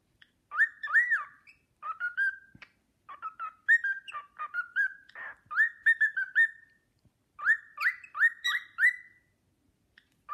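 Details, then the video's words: Cockatiel whistling the Sportpalast Waltz to an admiring companion; lively runs of looping, upslurred whistles and stepped notes, phrases repeating after brief gaps, with faint taps in the background. "Nymphensittich Carlo pfeift den Sportpalast-Walzer"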